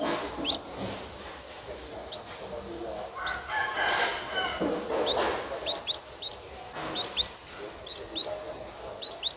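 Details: Eleven-day-old Streak-eared bulbul chick, Ubon Ratchathani, Thailand, April 2023: thin, high, downslurred chirps. The chirps come sparsely at first, then in quick clusters, with a brief burst of broad rustling noise midway.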